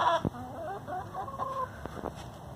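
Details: Free-range hen giving a soft, wavering complaining murmur, rising and falling quietly after a brief thump, with a couple of faint knocks toward the end.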